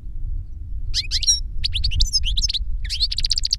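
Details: Captive adult European goldfinch, a master bird kept for Spanish silvestrismo, sings reclamo song that a young goldfinch copied from a CD. Rapid bursts of high, twittering, buzzy notes come in three groups, over a steady low rumble.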